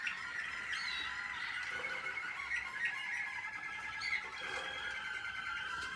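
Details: American Singer canary from 2021, in training, singing continuously: a steady, slightly harsh warbling stream of overlapping tones with brief rolled phrases, against a soft background hiss.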